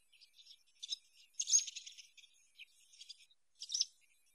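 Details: Common house martin twittering: scratchy, dry high chirps and short crackling bursts in irregular clusters, the loudest in the middle and again near the end.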